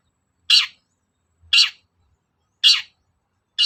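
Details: Long-tailed shrike calls used to provoke another shrike into responding. Three harsh, buzzy, downward-sweeping notes arrive about once a second against silence, with a fourth just starting at the end.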